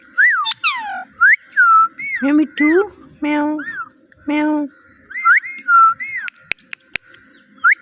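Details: Pet parrot mimicking words, "Mitthu" and "meow": a run of looping whistled syllables mixed with deeper, buzzy voice-like calls in the middle, then more whistles and two sharp clicks.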